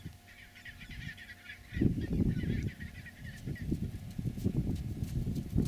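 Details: Chinstrap penguins walking a trampled snow 'highway' between the sea and their nesting colony; a run of harsh, honking calls with stacked harmonics in the first half over constant low rumbling, then mostly rumble and thuds.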